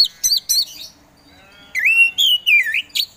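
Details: Oriental magpie-robin of the kacer poci type, a hobby songbird, singing: short sharp notes first, then a slurred whistled phrase that dips and rises in loops. No other sounds.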